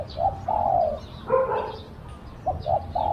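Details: Spotted dove used as a decoy for luring wild doves: a short note and long mellow coo, a brief overlapping coo in between, then two clipped notes and another coo, with faint twittering.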